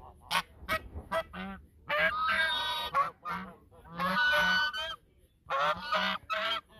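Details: Geese at the Sosúa River mouth, Dominican Republic, in duet: a few sharp clicks and short notes open, then three drawn-out, rasping honk bouts with brief gaps between them.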